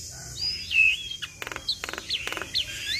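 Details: Javan myna song rich in imitated inserts, meant to set other mynas calling: thin high whistles and slurred notes broken by short harsh scratchy bursts.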